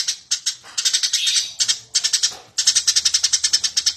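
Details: Energetic burung gereja, the Eurasian tree sparrow, on a master recording for training birds: dense, nearly continuous high chirping in choppy groups, ending in a steady series of evenly spaced sharp notes.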